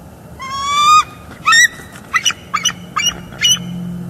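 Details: Bald eagles on a Northeast Florida nest cam, 18 December 2022, as an adult female chases off juveniles: a long piping note, then a string of short, stuttering, high chirps spaced roughly half a second apart, over a faint steady hum.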